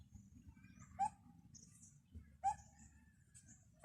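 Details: Treetop bird calling: brief, sharp, rising whistled notes, three spaced about one and a half seconds apart, with soft higher chirps between them and a low murmuring background.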